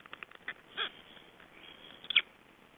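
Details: Shortly before hatching, black stork chicks give brief squeaky notes, a soft rising-falling peep near the middle and a sharp double squeak toward the end, amid faint ticking sounds.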